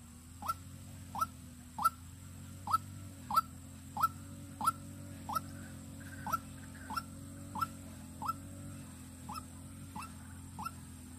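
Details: Luring call of a decoy white-breasted waterhen, Vĩnh Long. A long run of about seventeen sharp rising notes, roughly one every 0.65 seconds. A low mechanical hum runs throughout.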